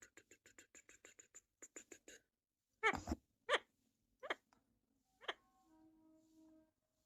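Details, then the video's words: A parrot opens with a fast run of short clicking, chattering notes, then switches to several harsh, rasping squawks at irregular intervals, ending with a faint steady hum in the background. "Parrot Sound"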